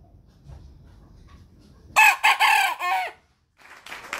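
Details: After a quiet stretch, a young rooster newly grown from a chick lets out a strained, raspy crow broken into short bursts, followed by a brief pause and faint noise.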